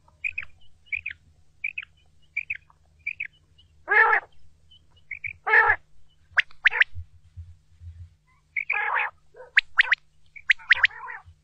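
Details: Quail, a recording used for hunting: thin, high, clipped chirps repeated roughly every half second, broken by several loud, rasping, broadband bursts and sharp upward notes, over a faint low hum.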